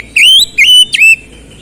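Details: Oriental magpie-robin (kacer) producing three loud, drawn-out whistles, the first rising, the others falling then level, all within about one second.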